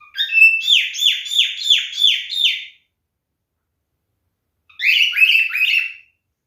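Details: Male cockatiel calling a female with a run of six repeated downward-swooping whistles, roughly three per second, then a pause and a shorter, rougher series of similar falling notes.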